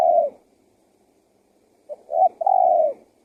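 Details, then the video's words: Luring call of a spotted dove: the tail of one coo, a pause, then a short double coo leading into a long falling coo, quiet background. "SUARA TEKUKUR GACOR PALING AMPUH UNTUK PIKAT BURUNG LIAR"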